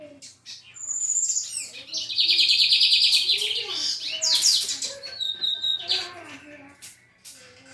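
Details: Brown-plumaged lined seedeater singing a loud, buzzing high-pitched trill for several seconds, then switching to scattered sharp chirps and short whistles, with faint lower voice-like sounds beneath.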